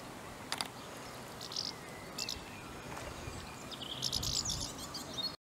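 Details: House martins. Faint, high, buzzy chirping bursts come in short clusters, with a denser run of twittering near the end, over soft background noise.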